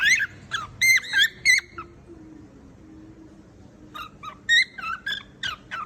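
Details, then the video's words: Cockatiel song in two bursts of sharp harmonic whistles and chirps, split by a quiet stretch of about two seconds where a faint low hum is heard. "Beautiful Cocktails Voice // Singing Cocktails"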